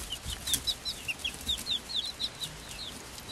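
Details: Five-week-old chicks of the Swedish flower hen breed, hatched 26 February 2022, with a silkie chick of the same age; many high thin peeps, short downward and arched notes overlapping in a steady chatter, with faint background hiss.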